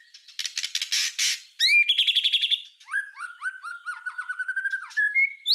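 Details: Tutoring recording of a white-rumped shama singing: a harsh rasping burst, a rapid pulsed rattle, then a quick series of low slurred whistles rising at the close.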